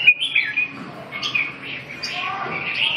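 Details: Red-whiskered bulbul singing short warbled, slurred phrases in the upper-middle range, with a few higher sharp notes, set against a faint steady background hiss.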